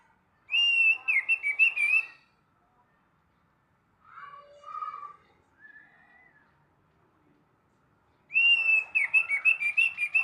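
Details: Orange-headed thrush singing in the morning: two loud, rich phrases of fast quavering, trilled whistles, each about one and a half seconds long, separated by quieter, lower, slurred notes and a pause.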